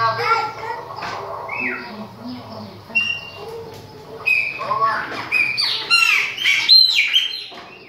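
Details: Chopi blackbird song of mixed whistles, downslurred notes and quick sweeping phrases that grow louder and denser in the second half, with faint low background sounds.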